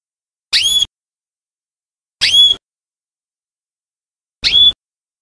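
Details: Belgian canary giving three short, separate whistled notes, each rising sharply and ending in a thin high tone, spaced about two seconds apart with silence between.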